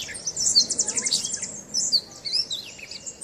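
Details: A Gray Catbird at Point Pelee National Park, Leamington, Ontario, singing on and on in a mimicking song, gives a rapid, jumbled run of high squeaky and chattering notes, with quick trills and short whistled slurs over faint background hiss.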